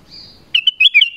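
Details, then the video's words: Black-crested bulbul calling, used to attract wild birds: a faint thin whistle, then a quick burst of four or five bright, bubbly, mid-high, slightly warbled chirps. "SUARA PANGGILAN KUTILANG EMAS"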